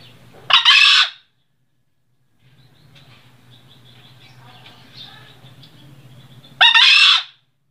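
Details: A green junglefowl at Sembalun, Lombok, in highland habitat at about 1700 m, gives two short, hoarse, rasping crows about six seconds apart, over a low steady hum.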